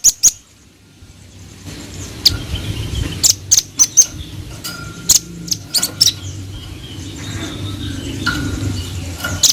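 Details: Velvet-fronted nuthatch, described as vigorous and vocal, giving scattered sharp, very high chipping notes, singly and in short pairs, over a low rumbling background.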